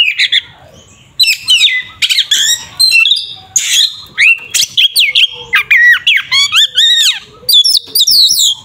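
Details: Oriental magpie-robin, kept bird, fighting song used to provoke a rival: loud, varied bursts of harsh buzzy notes, rising whistles and rapid chattering trills, delivered in short phrases with brief pauses.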